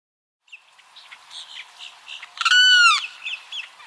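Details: A Limpkin's call used to attract the species: one loud, ringing, harmonically rich wail that slides slightly downward and lasts about half a second, with softer chirps from other small birds around it.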